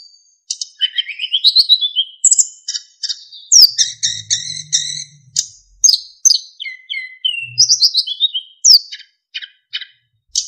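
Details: Persistent narcissus flycatcher song rich in fill-ins and clear whistling, made to train songbirds: descending whistled slurs, stuttering trills and sharp chirps in quick succession over a faint low hum.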